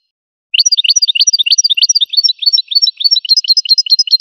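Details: Goldfinch song: a fast, even trill of bright, rising chirped notes, about three per second, running steadily after a short silence, with no other sounds.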